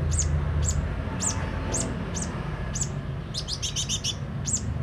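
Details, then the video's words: Sunbird singing steadily with open beak: evenly spaced high, thin chip notes about twice a second, then a quick rattled cluster of lower notes, against low background hum. "Burung kolibri ninja mental baja buka paruh gacor dor"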